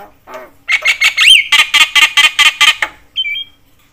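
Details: Javan myna, said to stir other mynas; a burst of loud harsh squawks in quick rhythm, one rising whistle inside, then a brief flat whistle and silence.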